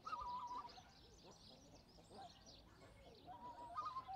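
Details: Black-necked swan calls: a soft whistled note at the start and another near the end, over a murmuring background of other waterfowl.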